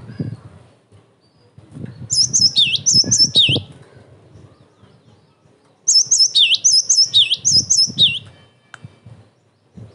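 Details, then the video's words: Cinereous tit singing for use as bait to make other tits answer and as master recording: two separate runs of sharp high whistled motifs, each with downslurred dips, pause of about two seconds, low rumble behind. "TIDAK ADA SEMENIT GELATIK BATU MANAPUN PASTI NYAUT"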